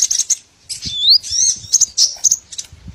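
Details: High twitters from small birds on a lure for catching all kinds of small birds: quick sharp chirps, then a clear upward-sweeping whistle, followed by more scattered bright chirping notes.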